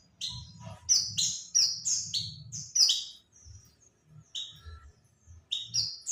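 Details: Oriental white-eye call used as a lure for birds: quick series of bright, high descending chirps, a short quieter gap midway, then renewed clusters, with soft low thuds.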